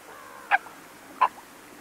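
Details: Western reef heron (Egretta gularis) calling close to the microphone, two short, harsh croaks about three-quarters of a second apart over a faint background hiss.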